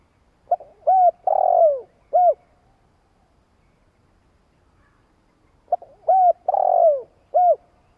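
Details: Spotted dove repeating its long coo, a sound used to excite decoy birds: two matching phrases roughly five seconds apart, each a soft lead-in note, short arched coo, long falling coo and final short coo, with silence between.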